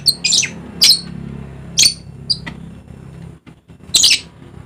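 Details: Dusky lory from eastern Indonesia's Papua island calling in rasping, high squawks, five or six bursts spread irregularly, with a brief silent dip before a final loud screech.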